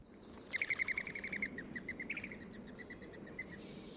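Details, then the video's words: Mourning dove wing whistle as a flushed bird takes off: a fast run of squeaky, pulsed whistles, about four per second, fading away. It is made by air vibrating the wing-feather tips, not the voice, and alerts other birds to danger. "another sound you hear is a squeaky sloppy whistle when doves are flushed and take to the air"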